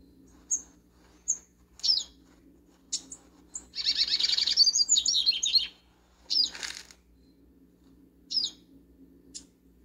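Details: Backyard double-collared seedeater: isolated thin high whistles and chirps lead into a loud, rapid jumbled warble of about two seconds, followed by more spaced sharp notes.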